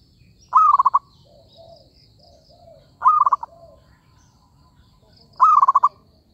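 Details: Zebra dove calling as a lure for trapping: three rapid rolling coo phrases about two and a half seconds apart, with softer low hoots between them and faint high chirps of other birds.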